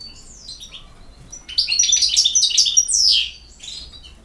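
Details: European goldfinch beginning with a few soft descending twitters, then breaking into a loud, rapid flurry of tinkling, chattering notes before tailing off quietly.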